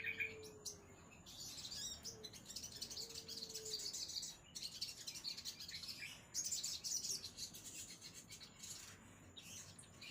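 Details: Crimson sunbird singing long bursts of fast, high, tinkling chirps separated by short gaps, with an occasional lower, flat whistled note early on.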